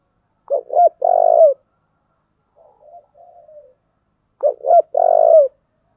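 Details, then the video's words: Spotted dove cooing in the "giọng thổ" voice style, used to spur fighting or competition: two quick rising notes, then a long drawn, slightly falling coo. The phrase repeats about four seconds later, with a soft, fainter coo in between. "cu gáy giọng thổ/ cu gáy thúc đấu"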